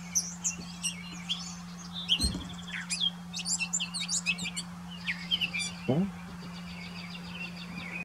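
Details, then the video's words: Grey catbird singing from a branch in Desbarats, Ontario, recorded on a camera about 15 meters away; a rapid, jumbled run of squeaky, whistled and scratchy notes that vary constantly, easing off after six seconds, over a steady low hum. "Catbird Singing"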